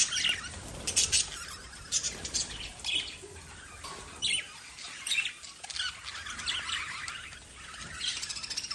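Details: Lovebirds chattering continuously, with dense overlapping high chirps, tweets and short harsh squawks in rapid irregular bursts throughout, as if several birds are calling at once.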